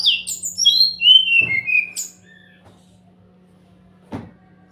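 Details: Sumatran laughingthrush song used as a lure to get silent birds to answer, heard in Bali: a rapid run of clear whistled and slurred notes sliding downward over about two seconds, followed by a couple of brief clicks.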